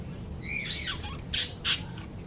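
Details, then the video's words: Lovebirds chirping indoors: a thin, high rising squeak followed by two short, sharp, loud chirps about a quarter second apart, over a low steady background hum. "RELAXING LOVE BIRDS CHIRPING SOUNDS"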